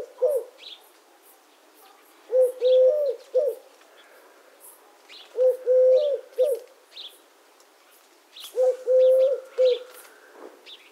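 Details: Eurasian collared dove repeating its three-note coo, a short note, a long drawn middle note and a short falling end, in phrases about every three seconds; faint chirps of small birds in the background.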